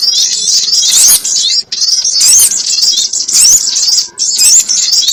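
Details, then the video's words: Sogon calling, played as a trapping lure: continuous high, wavering twitters and squeaks, fast and scratchy, with short dips between phrases. "SUARA PIKAT BURUNG SOGON ONTONG"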